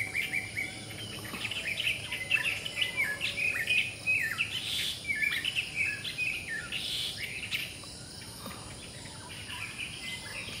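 A black drongo gives a busy run of sharp, metallic chirps and twangy notes in quick bursts. A steady high insect hum runs underneath.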